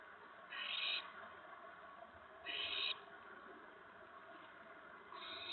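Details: Owl nest on April 19, 2017 around 8:06 PM as the adult owls bring food to the owlets; two harsh, breathy hissing bursts about two seconds apart, then a third starting at the end, over faint background hiss.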